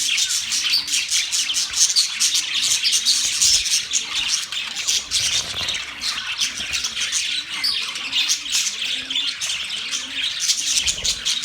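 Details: A group of budgerigars on November 19, 2023 keeping up a busy high chirping and squawking chatter, with soft, low arched notes repeated evenly underneath.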